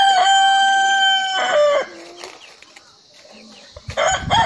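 A rooster gives one loud, ringing crow that holds steady, then drops and trails off over nearly two seconds. A quiet pause follows before another call begins.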